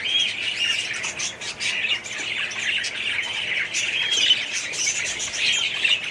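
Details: Budgerigar colony housed in an aviary, 2017: steady flock chatter of chirps and scratchy squawks, with a few clear whistled notes rising above the babble.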